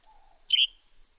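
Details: Single call of a Northern grey-headed sparrow: one short, slightly buzzy chirp that dips and levels off, set against a constant shrill insect drone and a faint low hum.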